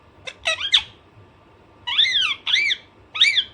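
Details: Alexandrine parrot, described as naughty, giving three quick harsh squawks, a pause, then three loud arched screeching calls in close succession; faint steady hum in a quiet room.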